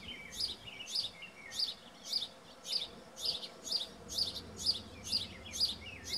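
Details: Baby house finches in a spruce-tree nest, 06-09-17, noisily begging for food: a steady string of sharp, high-pitched squeaks roughly twice per second, about eleven calls, over a soft low hum.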